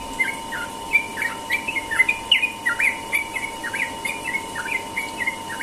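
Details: Morning song of a sooty-headed bulbul in 'ropel' style, a dense, fast run of bright whistled chirps, rising and falling slurs tumbling almost continuously for over five seconds, with a constant low hum behind.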